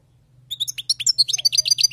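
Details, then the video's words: Wild-caught European goldfinch in full song: loud, rapid series of sweet, clipped chirps and rolling twitters, evenly paced and rising in intensity, with a low steady hum in the background. "أسمع وركز على المقنين الخلوي كيف يغرد"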